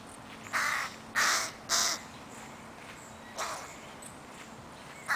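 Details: Young crows refusing to leave their mother in Helsinki, Finland, 20 July 2011: three loud, harsh, scratchy begging caws in quick succession, followed after a pause by two fainter ones.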